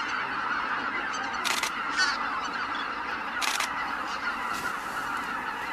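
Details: Greater white-fronted geese calling together as they leave the roost, a thick, unbroken mass of honking. Two short mechanical clicks sound near one and a half and three and a half seconds.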